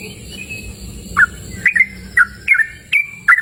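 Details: Outdoors in a cool open natural setting, a yellow-vented bulbul starts after a quiet moment into a brisk series of short, sharp whistled notes, each rising then sliding level, repeated every third of a second.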